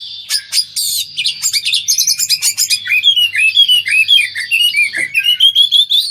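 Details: Oriental magpie-robin during mating, played as therapy for a kacer that has stopped singing: dense, varied song of rapid high chirps, slurred whistles and rising-falling phrases, delivered nearly without pause across six seconds.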